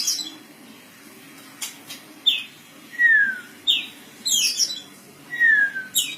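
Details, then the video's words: Sparse kacer phrases: several clear whistles that slide downward, spaced about a second apart, with a few short high chirps between them against quiet background noise. "dengarkan kicauKACER INI"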